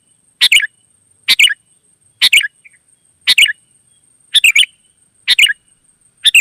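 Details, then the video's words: Kutilang (sooty-headed bulbul) heard wild, pouring out 'gacor' song to draw answering birds: seven short bubbly phrases about a second apart, steady and brisk, with a thin high whine throughout. "suara burung gacor kutilang liar auto nyaut"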